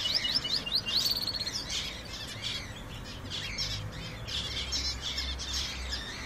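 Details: Several canaries singing together, opening with a fast high trill of repeated rising notes, followed by overlapping twittering phrases over a steady background hiss and low rumble.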